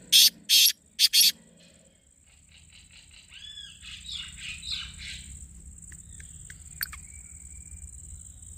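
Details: Black francolin call used to prompt the bird to call back: four harsh, clipped notes in quick succession open the clip, then gentler rising twitters of small birds over a faint continuous high tone.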